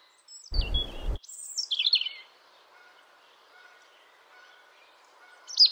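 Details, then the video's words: Brief European robin song fragment: a few sharp, high slurred notes after a loud low thump, then near silence and one last bright high note at the end. "European Robin · Erithacus rubecula singing"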